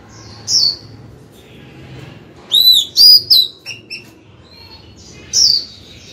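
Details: A female Oriental magpie-robin sings to call a male: short, bright, high whistles and sweeping notes in three bursts, including a quick run of clear phrases, against faint low background hum.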